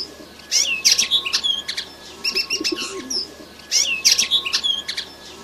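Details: A young red siskin chick sings excitedly: a quick, high twittering phrase of sharp chips and thin trills, repeated after a short pause.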